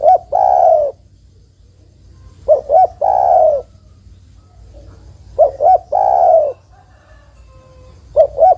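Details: A female spotted dove calls the male with a steady series of phrases, each two short coos then a prolonged falling coo, four phrases in under nine seconds.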